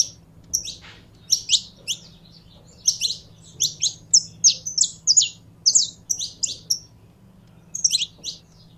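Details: Saffron finch being stimulated to sing, giving spaced clusters of high, bright chirps and short whistled slurs, about two to three notes per group with small gaps, over a soft low hum.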